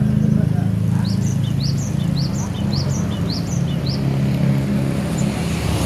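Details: Cinereous tit of Aceh, singing loudly at home in gantang style: clear two-note high phrases, the first note sharply rising, repeated about twice a second for several seconds, over low engine-like hum; a voice exclaims afterwards.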